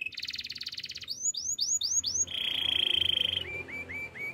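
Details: Canary song: a buzzy trill, several clear slurred notes, a low rattling roll, then soft rising chirps repeated about three per second.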